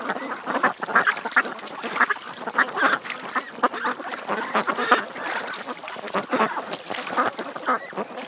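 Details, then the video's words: A flock of ducks by a creek keeps up a busy chatter of harsh quacks, many birds calling at once in irregular, overlapping bursts. "Ducks At The Creek"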